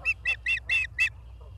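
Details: Ospreys in Charlo, Montana, on a nest camera on 28 August 2023 at 16:08. Five loud, high, piercing chirps ring out evenly about a quarter-second apart, then a faint quiet note follows.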